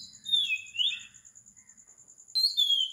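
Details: An Oriental magpie-robin at 4 am on tropical Sri Lanka: a sweet falling whistled phrase, a quiet gap, then a sharp high note sliding down into a clear whistle, with a high pulsing background tone throughout.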